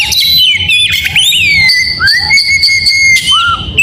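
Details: Oriental magpie-robin in the morning, giving clear, drawn-out whistled notes, some held steady, others sliding up or dipping, with a quick twittering run at the start.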